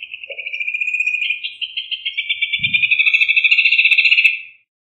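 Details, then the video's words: Rufous hornero singing a fast pulsed trill about four seconds long. It grows louder, then shifts slightly higher partway through as a second, higher line of rapid notes joins, before stopping abruptly. "Hornero Canto - Rufous Hornero Bird Song"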